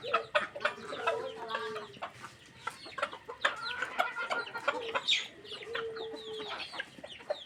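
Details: Flock of chickens at feeding time, clucking busily in quick overlapping bursts, with two longer level drawn-out calls standing out among the chatter.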